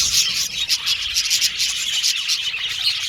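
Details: Cheerful Australian budgerigars chirp, with rapid scratchy twittering and thin, piercing whistled peeps scattered through it.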